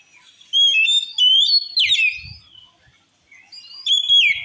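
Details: Oriental magpie-robin singing a provoking song that supposedly enrages rival males: bright whistled notes and sweeping slurs in two loud bursts separated by a quiet stretch of softer twitters, a few faint low knocks in the middle.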